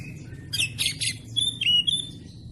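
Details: Oriental magpie-robin in a fast, packed training song for caged birds: three harsh raspy squawks, then a quick run of thin high whistles and a clear falling note.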